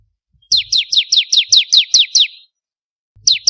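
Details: Bar-winged prinia song used for training songbirds: a rapid series of about nine sharp, descending whistled notes, evenly spaced, then a pause and the series starting again.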